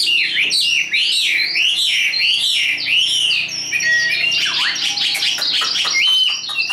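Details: Caged Chinese hwamei, hand-tamed and singing high, repeats arched looping whistles several times, then breaks into quicker varied notes and a final clear flat whistle.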